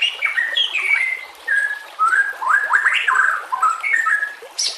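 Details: White-rumped shama song, a training master with nature sounds and flowing water: clear whistled phrases, short slurred notes and rising sweeps in rich sequence, with faint high chirps behind.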